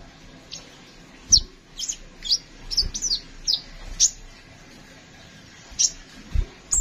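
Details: Kolibri ninja sunbird giving thin, high, downslurred chirps in a loose series, followed by a pause and a few final notes, over faint background hiss and soft knocks.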